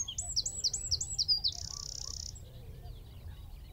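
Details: Wren in a tree at Wicken Fen, recorded through a telescope-mounted phone and shotgun mic at 15 m: six loud repeated sweeping high notes followed by an even, buzzy trill, then quiet.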